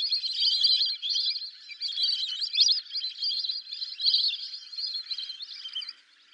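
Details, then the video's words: Lesser whistling ducks give a steady stream of shrill, wheezy two-note whistles, several birds overlapping in a busy, continuous chatter with no pauses. "Lesser Whistling Duck Call"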